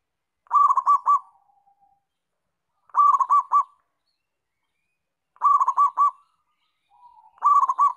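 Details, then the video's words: Actively singing local zebra dove gives four phrases of fast, stuttering coos, each a short rolling burst followed by a faint drawn-out tail, repeated roughly every two to three seconds in otherwise silent surroundings. "Perkutut Lokal Gacor"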